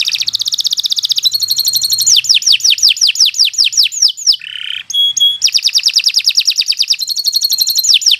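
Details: Kenari Nusantara canary delivering a continuous tutoring song, made up of rapid chattering trills, a run of slurred downward notes, a brief low buzz and high whistled tones.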